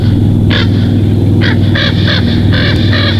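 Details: Bald eagle at its nest in Big Bear Valley, July 19, 2023, at 21:19, picked up by a nest camera; a series of high, harsh chattering notes in quick bursts over a steady low hum.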